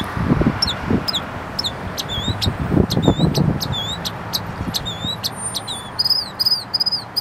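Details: A northern mockingbird sings in January, a varied string of high sharp chips, slurred whistles and buzzy notes ending in a rapid repeated phrase, over low rumbling background noise.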